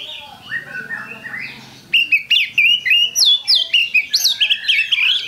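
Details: Kacer or Oriental magpie-robin lure song; a quiet mixed warble, then a steady string of loud, sharply rising and falling whistled notes, about four per second.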